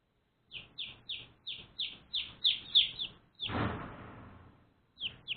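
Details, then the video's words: Baby chicks one day old giving rapid, piercing, falling peeps, interrupted midway by a dull thud and rustling noise, then resuming with a couple more chirps. "One Day Old Baby Chicks Chirping Sounds"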